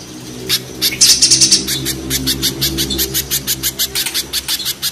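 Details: Spiderhunters, a mountain spiderhunter against a banana spiderhunter, in a rough style: a loud rattling burst of high notes, then a steady train of shrill chips, over a low humming background.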